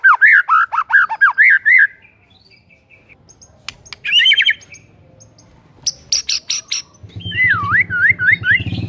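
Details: Actively singing white-rumped shama, played as a lure for shamas that have stopped singing: bouncy looping whistles, then scattered sharp clicks and a rising trill, ending in wavy whistled notes over a low steady hum.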